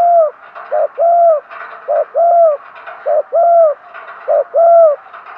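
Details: Decoy spotted dove cooing to entice wild birds, in a tight, regular rhythm of a short note followed by a longer rounded coo, four pairs in quick succession.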